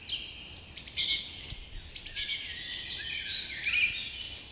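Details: Birds chirping in the morning, with several voices overlapping in bright, high twitters, short rising whistles and rapid trills, all against soft, constant background noise.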